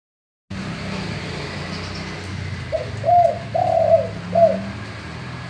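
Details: A male spotted dove sings a soft, hollow cooing phrase of about four low notes, the middle ones longest, over a steady low hum; a call used to lure other doves into calling.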